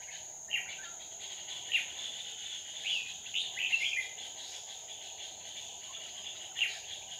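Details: Red-whiskered bulbul used as a decoy during trapping on 2 May 2019, with wild birds drawn in. Short whistled phrases come scattered across the clip, loudest near the start and end, over a steady high insect drone.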